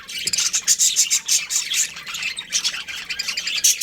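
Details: Budgerigars, a breeding pair, give fast pulsing chirps: bright, high, clipped notes repeated several times a second in a steady stream of excited chatter.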